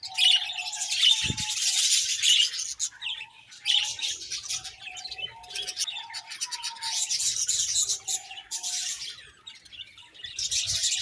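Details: Budgies chirping together: dense, scratchy high chatter with short warbled notes running underneath, broken by brief pauses and one low thump near the start.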